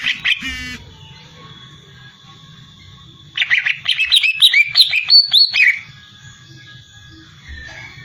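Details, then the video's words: Greater green leafbird giving a short high rattle, then after a quiet pause a loud burst of rapid, twittering, sharply varied chirps lasting about two seconds before fading to a soft thin whistle. "burung cucak ijo"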